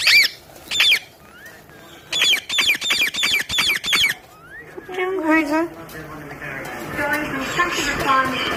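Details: Parrot talking in quick runs of sharp, harmonic syllables, several in a row, then a low voice and busier babble toward the end.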